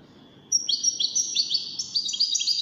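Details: Short burst of European goldfinch song in a competition setting: after a faint lead-in note, a string of quick, sparkling chirps and slurred twitters.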